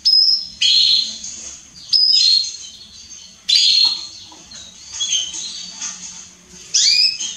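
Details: A female Belgian canary gives bright, high chirps and twittering bursts, calling about once every second or two, over a faint low hum.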